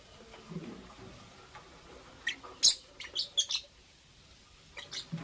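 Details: Lovebirds, a green Fischer's and a pastel blue, chirping in the morning: a run of sharp, shrill high chirps in a quick uneven cluster mid-way, with a few softer chirps before and after in a quiet indoor setting.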